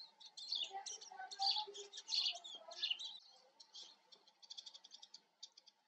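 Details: Eurasian siskin giving loud, scratchy chirps and twitters, then a quicker run of short, even ticking notes toward the end, with a faint background hum.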